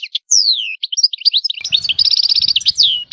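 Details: European goldfinch singing a falling whistled slur, then rapid twittering leading into a rattling trill and another descending note; a faint low rumble sits under the second half.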